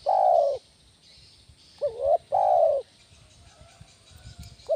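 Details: Powerful spotted dove call in 'kuk 1' style, used to lure other doves: a long mellow coo, then a phrase of two quick upturned notes and another drawn-out falling coo, with a new phrase beginning at the end.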